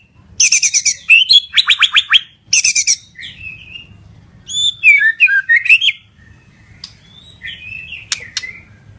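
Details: {'caption': 'Medan-type white-rumped shama in energetic, nonstop song: a fast run of harsh, buzzy stacked notes, then a varied phrase of slurred whistles and twittering, trailing off into quieter warbles, with faint low hum underneath.'}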